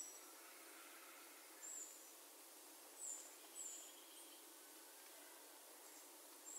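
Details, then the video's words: Sharp-billed treehunter singing: short, very high, thin whistled notes that slur downward, spaced irregularly a second or more apart over a faint steady hiss of background noise. "kicauan Sharp billed Treehunter"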